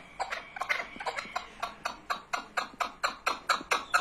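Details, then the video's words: Rhythmic chukar partridge call, sharp clucking syllables delivered roughly twice per second, each note short and raspy, in a regular repeating pattern. "keklik sesi"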